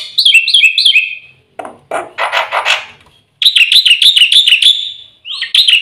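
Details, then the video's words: Black-winged myna, locally jalak putih, in full 'isian' song: a few looping whistled phrases, a burst of loud harsh chatter, then a quick run of repeated sliding whistles and a final rising note. "suara burung jalak putih full isian"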